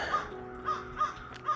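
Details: Crows going crazy at Fancher Davidge Park, Middletown, New York, on March 11 after overnight snow: four harsh, rasping caws, each short and about half a second apart, over a faint background hum.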